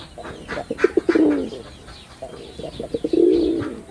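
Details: Two quick throaty coos from a male red-bordered wild pigeon, each a burst of short stuttering notes sliding into a sustained low rolling purr; faint bird twitter in the background.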